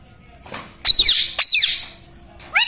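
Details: Pet parrot (tota, mitthu) kept as a talking bird, giving three loud harsh squawks with sweeping upper harmonics, separated by quiet room background.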